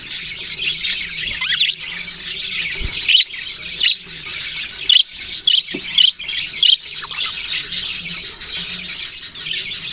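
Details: Budgerigars in full chatter, a constant high scratchy warble sprinkled with brighter whistled chirps and occasional sharp knocks.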